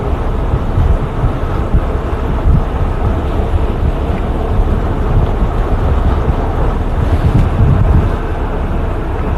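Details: A steady, heavy low rumble of a vehicle engine and wind buffeting the microphone continues throughout, with no animal calls.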